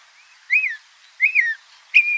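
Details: A Northern Mockingbird in Sonoma County sings mimicked whistled phrases, repeating each one about two to five times: an arched, slurred whistle given twice half a second apart, then a new, flat, steady whistle.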